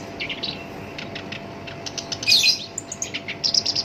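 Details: Captive black-browed reed warbler, known locally as shinchan, singing nonstop in a harsh voice prized as a lure for other songbirds: scratchy, buzzy chatter of quick high notes, swelling into a dense burst midway, then clipped chips.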